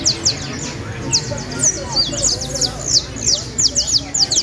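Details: Valledupar canary singing a fast, continuous run of high, piercing downward-slurred notes and buzzy trills, tightly packed, with a low hum in the background.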